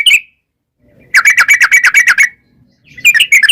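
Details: Sooty-headed bulbul song used as a lure to make wild birds answer: a rapid burst of about ten bright chattering notes near mid-pitch, bracketed by short separate note clusters, with silence between.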